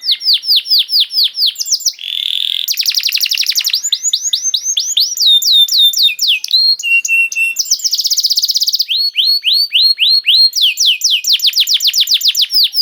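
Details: Canary song meant as bait to start other canaries singing: lively, varied sequence of fast rolling trills, swooping whistles, a buzzy grating burst and short held tones, all high and bright.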